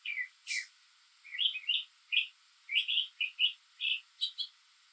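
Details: Northern mockingbird singing alone on a rainy day, mimicking other birds and sounds: a rapid varied string of short chirpy phrases and quick notes, each burst different, with a sharp high buzzy note near the start and faint background hiss.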